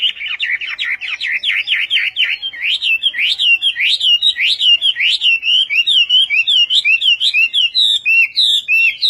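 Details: Chinese hwamei giving a Vietnamese-style song, a dense stream of quick, looping whistled notes repeated well over once a second, shifting from rolling phrases into sharper upward slurs.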